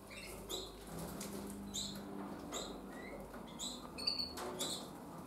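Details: Young harlequin canaries, 20 days old and leaving the nest, give short, bright, high chirps, about six scattered over five seconds, over a steady low hum and some soft fluttering.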